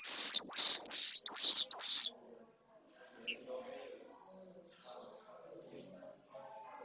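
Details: Pallid swift chick, just hatched, being fed in its nest at a school in Jerez de la Frontera, Spain: three loud, piercing, wavering screeches in quick succession, followed by faint background sounds.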